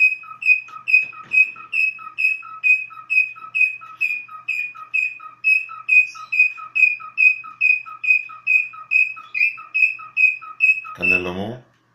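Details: Cockatiel repeating a crisp high whistled note with a short lower note attached, evenly spaced about twice per second for the whole run, ending in a brief lower rough noise burst.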